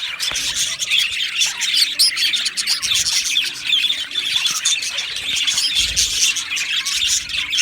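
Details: Colony of Australian budgerigars chirping in an aviary on 12 July 2025: steady high-pitched twittering and short squeaks from many birds, occasional louder sharp calls standing out.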